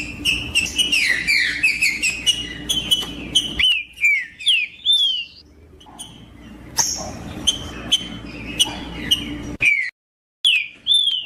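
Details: Caged-bird warm-up recording of a green-winged saltator: fast chattering notes lead into a sequence of mellow, slurred whistles, some rising then dropping, with a short silence before final whistled phrases.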